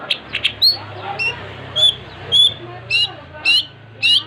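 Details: Cendet, the long-tailed shrike, in 'gacor' song: scattered high upswept whistles and short buzzy notes spaced about half a second apart, over a steady low hum.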